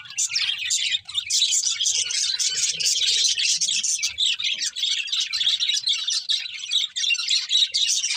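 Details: Happy budgerigars sing while feeding, a flock of pet birds producing a steady, overlapping stream of scratchy chirps and fast warbled notes with no pauses.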